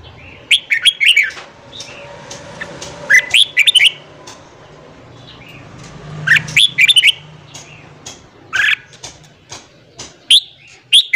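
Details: Red-whiskered bulbul morning song, played to train newly caught birds and fire them up to sing: five bursts of quick, warbled, bubbly notes, each about half a second to a second long, spaced two to three seconds apart over a low background hum.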